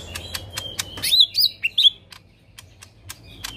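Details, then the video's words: Lesser green leafbird, a caged bird singing in the 'tembakan kasar' rough-burst style: a few short, sharp whistled notes near the middle, set among rapid dry broadband clicks throughout. "Cucak Ijo Mini Gacor Full Tembakan Kasar"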